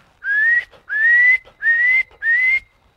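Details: A wood duck in Missouri, a non-quacking duck and the only duck nesting there regularly, gives four rising, squealing whistles, each about half a second long, spaced roughly every 0.6 seconds; no quacking.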